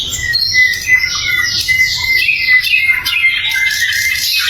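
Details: Sikatan londo flycatcher singing as a training recording for other songbirds: steady high, clear whistled notes and fast twittering slurs, loud and continuous throughout.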